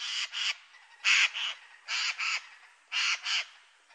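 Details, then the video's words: Eurasian jay (Garrulus glandarius) giving loud, harsh, rasping, broadband screeches in paired bursts, four pairs over about four seconds, with no other sounds. "Сойка / Eurasian jay (Garrulus glandarius)"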